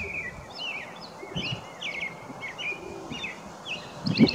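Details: An American robin in a Wisconsin backyard sings short, clear caroling phrases, rising and falling, about two each second, over a steady hiss and low background rumble.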